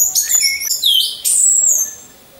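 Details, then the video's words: Orange-headed thrush in a hanging cage lined up with others, lure for song training; sweet high whistles stepping downward, then a long clear slurred note gliding down and fading. "Pancingan Burung Anis Merah"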